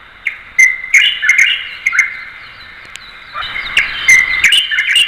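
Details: Light-vented Bulbul giving a lively run of short, bright chirps and slurred notes, some rising, some falling, bunched in two bursts with a quiet gap between them. Sharp clicks are scattered through the recording.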